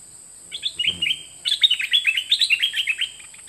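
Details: White-eye singing in a 2020 recording made for young birds to imitate: a short twitter, then a lively run of rapid, high, chattering notes that tumble and slide for two seconds.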